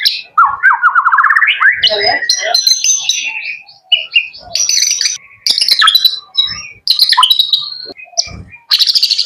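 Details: Pet young male white-rumped shama singing: an opening rattling trill rises into high whistled and buzzy phrases, separated by short pauses and punctuated by sharp clicks.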